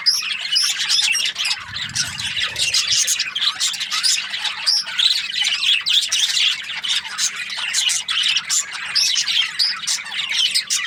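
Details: Busy, high-pitched chirping from Australian budgies, with squeaks, trills and scratchy notes layered without a break. A brief low thump comes early on.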